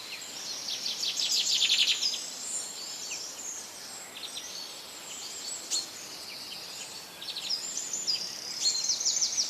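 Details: Birds singing in nature: an early burst of fast, high buzzy trilled notes, then scattered thin chirps and whistles from several birds, with another quick trill near the end and steady background hiss.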